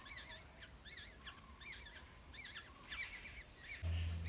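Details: Wild Black-hooded oriole chicks calling in their nest as adults feed them: repeated wavy, squeaky calls in quick bursts, growing louder, then swamped by a loud low rumble at the end.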